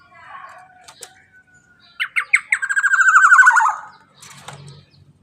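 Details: Black-naped oriole, loud and active, used to coax other birds into song: faint ticks, then clipped rising notes swelling into a drawn-out harsh, buzzy rattle falling slightly in pitch, followed by soft low rumbling.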